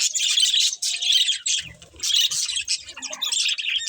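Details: Budgies chirping and squawking in bursts, sharp rasping notes mixed with bright twitters, a quieter gap near the second mark, then more overlapping chatter.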